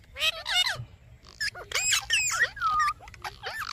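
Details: Talking pet parrot in a burst of speech-like chatter: short harmonic syllables with bending pitch, some swooping down, others rising, given in quick clusters with brief pauses.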